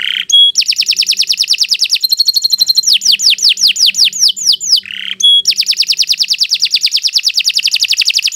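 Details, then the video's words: Canary in long, loud training song: dense fast trills, a run of descending whistled sweeps in the middle, then another extended rapid trill. "Kicau Burung Kenari II GACOR PANJANG"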